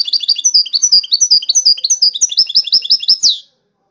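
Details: Song-competition European goldfinch, one of five wild-caught birds, delivering a dense rapid twitter of sharp descending chirps, nearly three per second, ending in a buzzy rising flourish before silence.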